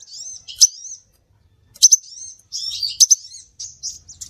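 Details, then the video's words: Scarlet minivet calls recorded to lure birds: drawn-out thin whistles broken by sharp bright accents, a quiet pause, then more wavering high whistles. "Suara pikat burung SEPAH RAJA"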